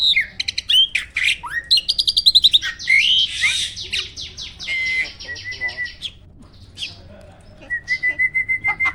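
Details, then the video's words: Farm-kept jalak starling in Indonesia singing in the Roll, Tembak and Speed styles: quick clicking bursts and buzzy rattles, a stretch of fast repeated notes, then a quiet gap before a series of level whistled pips closes the phrase. "Burung jalak isian ISTIMEWAH!! selalu JUARA || Gacornya bukan main."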